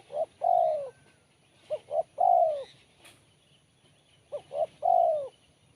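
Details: Spotted dove repeating a crisp Kuk 1 phrase three times, about every two seconds. Each is two short bouncing notes ending in a long, downward-sliding coo. Soft background chirps are also heard.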